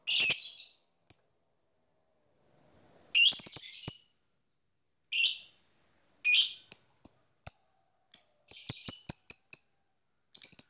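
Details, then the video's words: Lovebird lure sound of the ngetik koek ngekek style, meant to stimulate other lovebirds to sing: short bursts of harsh high chirps and squeaks separated by silent gaps, then a quicker cluster of clicks and chirps near the end. "PANCINGAN LOVEBIRD AMPUH..!!ngetik koek ngekek bikin lovebird gairah bunyi"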